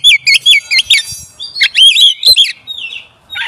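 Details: Oriental magpie-robin song used as a lure to provoke and quickly agitate other magpie-robins. Loud, varied whistled phrases of rapid rising and falling notes, with short motifs repeated in quick succession, then a brief pause and a softer sliding note.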